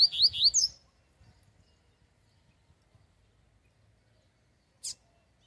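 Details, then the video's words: Coleiro, the double-collared seedeater, singing hard at a campeada singing field trial: a short burst of rapid, high, sliding chirps at the start, followed by a long quiet stretch and a single sharp tick near the end. "coleiro cantando muito na campeada"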